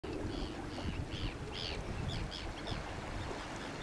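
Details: Arctic skua in Shetland, UK, in July 2013: a series of about eight short nasal rising-falling yelps, spaced roughly every third of a second, over strong wind and low rumbling noise.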